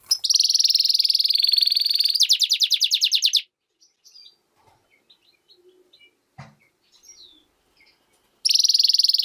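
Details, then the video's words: Goldfinch and canary hybrid delivering a dense high rolling trill that breaks into quick staccato pulses for over three seconds, a quiet pause with scattered faint chips, then the trill starting again. "mixto de jilguero - hybrid (European goldfinch vs canary) هجين الحسون"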